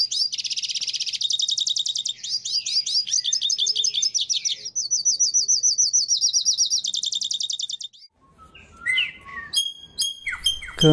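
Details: Hooded Siskin (pintassilgo) of Brazil singing a long, fast run of high twittering trills and buzzy chattering phrases lasting about eight seconds, then sharper separate chips and a spoken voice.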